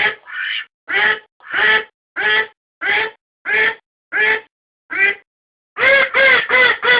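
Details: Domestic duck, recorded as decoy sound: single raspy quacks spaced roughly every half second, steady and loud, ending in a faster burst of four tightly packed quacks.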